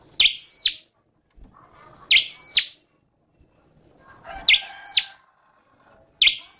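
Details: Song of a red-headed flowerpecker: a high piercing phrase repeated about every two seconds, a short sharp burst, a sustained level whistle, then an abrupt downward slur, with faint lower chirps between phrases.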